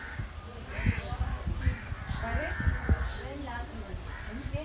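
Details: A myna in Sri Lanka mimics human speech in a run of throaty, voice-like syllables mixed with squeaky whistles and chuckles, over a low background rumble.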